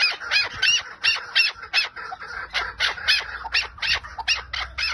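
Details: ['Chukar partridge, lal type, uttering loud, rasping, squawk-like notes singly or in pairs, spaced roughly every half second to second. The background is quiet apart from a soft low hum.']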